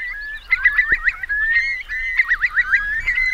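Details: Roosting Eurasian curlews in wet meadows of Marquenterre, Bay of Somme, France, forced inland by a strong high tide on 7 October 2021: overlapping whistles with quick rising-and-falling trilled notes, one brief low thump.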